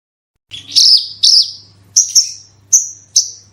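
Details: Horsfield's bush lark (branjangan) singing in the 'gacor super roll tembak' style, used as a lure to get other bushlarks singing: high, sharp chirps, each trailing into a short descending whistle, about five bursts in three seconds over a faint low hum.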